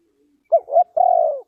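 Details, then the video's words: Single phrase of a spotted dove from Ninh Thuận, Vietnam, in a trapping context. Two short mellow notes run into a long, slightly burry coo that slowly falls away, in near silence. "Cu gáy Ninh Thuận,Cara Pikat Tekukur"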